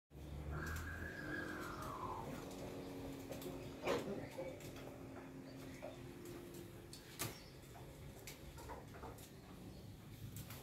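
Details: Ayam Ketawa, the laughing chicken, crowing on a Monday morning: one long arched call that rises and then slides down, with background clatter and sharp knocks.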